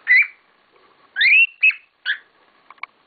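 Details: Pet cockatiels calling: a few loud, buzzy chirps with rising slurred whistles, well spaced, then soft faint clicks at the end.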